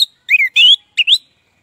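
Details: Orange-headed thrush singing in the loud, open ngeplong style, used as a lure to get silent birds singing; three short, clear whistled slurs, the middle one rising, with brief gaps between them.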